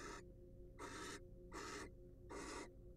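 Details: Wild barn owl inside a monitored nest box: four loud, harsh hisses in three seconds, each a breathy rasp of about a third of a second.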